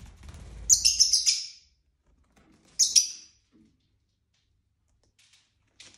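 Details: Pet lovebirds, several males and females kept together indoors, playing, exploring curtains, eating greens and squabbling. A burst of shrill, rapid, high chirps lasts almost a second, then a shorter shrill chirp follows, with faint clicks and a soft rumble early on.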